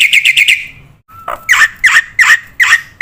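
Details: Black-winged myna training recording (masteran) meant to coax young birds into singing: a brief rapid chirp burst, a steady clear whistled tone, then five loud harsh chattering notes repeated roughly every third of a second.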